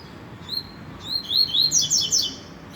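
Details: Rusty-collared seedeater singing in the trovão song style; a short phrase of clear whistled notes that starts with slurred downward whistles, then quickens into a busy jumble of higher, sweeping notes before stopping.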